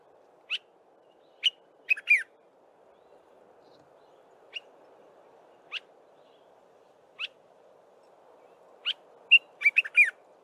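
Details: Dark-capped bulbul in early-morning song, giving sharp single whistled notes spaced a second or more apart, then closing with a quick chattering cluster of liquid phrases; steady low hum underneath.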